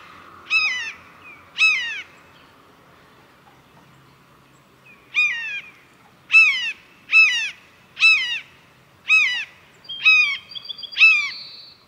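Blue jay imitating a red-shouldered hawk: about nine loud, harsh, downslurred screams, two then a run of seven roughly a second apart, ending with faint higher whistled notes.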